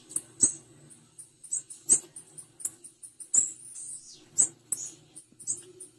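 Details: A female blue-black grassquit calls steadily with quick, piercingly high chips and short buzzy runs, several notes stressed with sharp clicks, against a soft low humming background.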